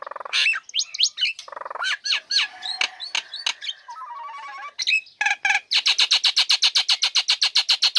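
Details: Caged female Nias hill myna in full song once uncovered, used to prompt lazy birds to sing: loud mixed whistles and clicks, a low buzzy stretch, then a fast even string of harsh chirps.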